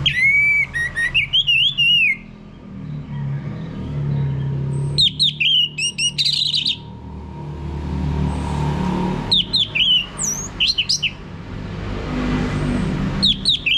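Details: Orange-headed thrush singing, played to coax a male into full 'ngeplong' song, Singaraja, Bali: varied whistled phrases, rising slurs and high twittering notes in separate bursts, against a constant low hum like distant traffic.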